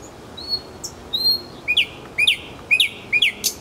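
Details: Nightingale in Kuzminki forest park singing drawn-out high whistles, then four loud, sweeping notes with an upward flick, each repeated about every half second.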